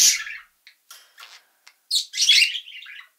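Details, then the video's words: A parrotlet gives a few high, scratchy chirps, then a louder burst of harsh, buzzy chattering that trails off over about a second. "PARROTLET | VOICE"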